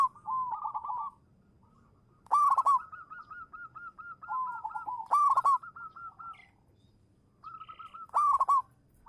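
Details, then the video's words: Local zebra dove (perkutut lokal) kept as a lure bird, singing manggung: loud bubbling coo phrases roughly every three seconds, each followed by a string of softer even cooing notes. "suara burung perkutut lokal manggung juara pancingan"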